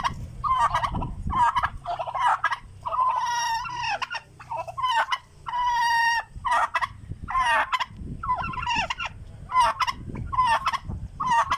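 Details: Hungry turkeys gobbling continuously, overlapping rattling bursts with some higher, longer wavering calls in the middle, over low rumbling background noise.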